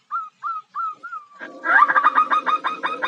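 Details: Zebra dove hen calling to attract a male: four spaced, hooked whistles, then a louder, harsher rapid series of ringing notes over a rough background.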